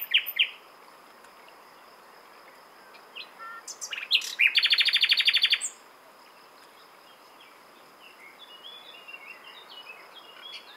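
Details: Common nightingale singing: a short burst of chirps, then after a pause a loud rapid rattling trill of about two seconds, followed by quieter scattered twittering notes, apparently from further birds.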